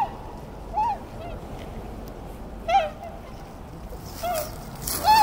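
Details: Tundra swans trading brief, bugling honks, one every second or two, with hissing noise toward the end.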